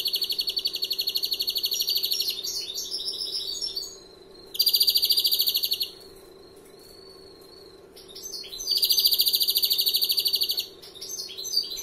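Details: Sustained greenfinch song from a first-year bird: three long, loud rattling trills of fast repeated notes with brief twitters between them, plus a soft drawn whistle; faint hum behind.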